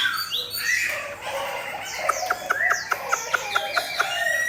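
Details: Caged Chinese hwamei facing a fighting bird gives sweeping whistled notes, followed by a steady series of sharp clicks about five per second under continuing song phrases.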